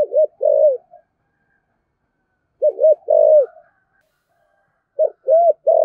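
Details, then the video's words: Spotted dove with a deep 'giọng thổ' voice, kept to encourage other doves to call back; short phrases of low hollow coos, each a quick double note then a longer one, repeated after pauses of about two seconds. "cu gáy giọng thổ giọng hay thúc gù bổi nghe gáy theo sung mãn"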